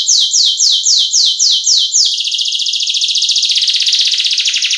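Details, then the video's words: Canary in gacor song used as a lure for males: about eight slow, loud down-swept whistles, then a switch into a dense, fast fizzing trill that runs to the end. "Pancingan dan masteran burung kenari gacor cengkok isian"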